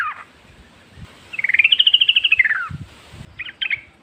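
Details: Yellow-vented bulbul in the wild forest, a lure to get other bulbuls singing. One clear rising-and-falling trilled phrase over a noisy background, followed by a few short broken notes.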